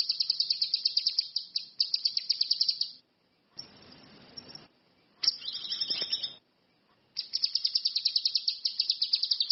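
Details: Orange-headed thrush, locally cucak kinoi or ranti mas, singing busily in the wild: long rapid series of high, piercing notes, interrupted midway by hiss and a brief twisting, double-toned phrase before the fast series resumes.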